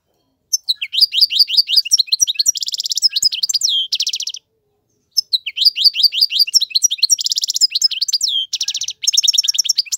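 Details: European goldfinch male song for teaching chicks, long runs of rapid slurred twitters and rattling trills in two extended phrases after a brief silent start.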